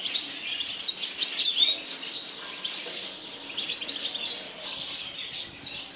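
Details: Yasmin bird singing a quick, high chatter of chirps repeated about three times a second, with a fuller burst in the first two seconds and another near the end.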